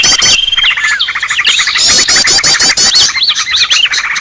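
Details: Noisy green leafbird calling played to lure birds. Nonstop packed chatter of scratchy rapid notes, looping high whistles and a short flat whistle at the start, all at constant loudness.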